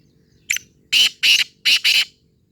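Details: Black francolin (Sindhi teetar) calling: a short harsh note, then four loud, grating, broadband notes in two close pairs, the whole phrase lasting about a second and a half over a faint low hum.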